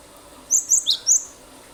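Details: Quick four-note cinereous tit phrase from a lure recording meant to make other birds join in: sharp, very high chirps, the third dipping lower, all within under a second.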